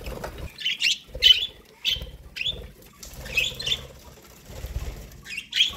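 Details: Pet budgerigars chirp while eating corn, a string of short, high, slightly buzzy chirps spaced about half a second apart, over soft knocking and rustling.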